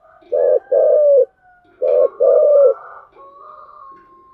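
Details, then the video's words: Spotted dove giving giọng thổ style coos: two deep double-note phrases, each a short coo followed by a longer drawn-out one, then a softer trailing tone, with near silence behind. "cu gáy giọng thổ chiêu gù"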